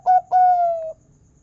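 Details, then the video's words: Local Indonesian zebra dove with a big "kung" voice, a lure recording to make caged doves sing: one short mellow coo, brief pause, then a long smooth slightly falling coo. "Masteran Perkutut Lokal Suara Kung Besar Pancingan Burung Perkutut Agar Gacor"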